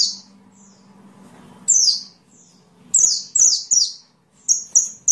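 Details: Sunbird calls used to train songbirds: faint early notes, then loud, sharp, high downslurred chips, some in close pairs and others in a short quick series, with a soft low hum.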